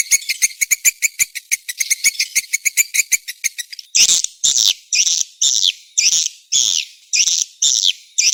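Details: SP. KADITA swiftlet call for attracting birds to nest houses: about four seconds of rapid, even ticking chirps, then a series of harsh buzzy bursts repeated roughly every half second.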